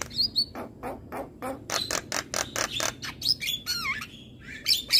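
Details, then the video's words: Javan myna singing in the morning: a varied mix of harsh broadband bursts, sharp clicks and whistled notes that swoop down then up, delivered in quick irregular succession. "Suara Kicauan Jalak Kebo pagi Hari"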